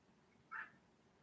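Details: A helmeted guineafowl calling outdoors not far from a back door, heard from indoors alongside a chicken: a single harsh, grating, somewhat distant note over a quiet indoor background.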